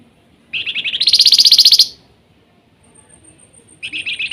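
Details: Golden-bellied gerygone singing a rapid trill that steps up from lower notes to a louder, higher rattle, then after a pause starts another low run; a faint steady high tone is heard.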